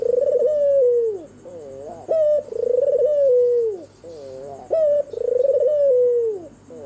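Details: An albino white turtle dove with red eyes coos at night, giving three phrases of a sharp first note and a long vibrating, descending coo, linked by softer wavering notes, over a steady low hum.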